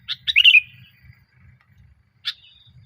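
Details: Sooty-headed bulbul, from a lure recording meant to get bulbuls singing: a quick run of cheerful liquid notes slurring downward, then one sharp chip about two seconds later, over a soft low background hum.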